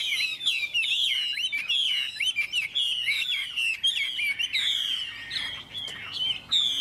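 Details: Chinese hwamei singing in continuous rich high phrases, with repeated downward-curving whistles and quick trills that barely pause.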